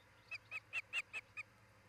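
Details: Ospreys nesting in Charlo, Montana, on a nest camera, 10 July 2018: six sharp, slightly squealing whistled chirps in under two seconds, strongest in the middle, over a soft hum.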